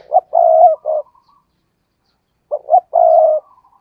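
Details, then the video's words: Caged decoy spotted dove in intense 'thúc gù' cooing. The same three-part phrase comes twice, about 2.5 seconds apart: two quick throaty notes, then a sustained, low, level coo with a short tail. "tiếng cu gáy/ chim cu gáy mồi cây thúc gù căng lửa"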